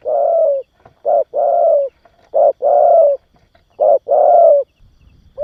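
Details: Spotted dove cooing, used to stimulate and train young doves: low hollow coos in a repeated pattern, a short note then a longer drawn-out coo, cycles about every one and a half seconds, no background noise.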